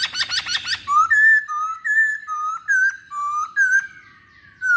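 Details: Masked laughingthrush lure song to set other birds singing: a rapid harsh chatter, then a string of clear, even whistled notes that step up and down, each about a third of a second long.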